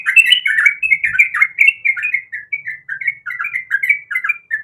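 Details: Female sooty-headed bulbul calling to the male while in breeding condition: a continuous run of quick, chattering, warbled notes that slide up and down, delivered loudly with hardly a break.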